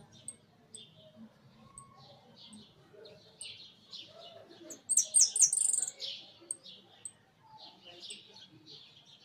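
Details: Hooded siskin in a big cage: faint scattered high chips give way to a loud, fast, rattling twittered phrase near the middle, then quieter calls again.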